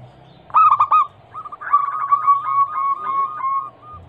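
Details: Zebra dove (perkutut) lure recording of a female calling a male, meant to prompt other doves to sing. A loud stuttering coo burst is followed by a quicker, wavering run of softer rolling notes.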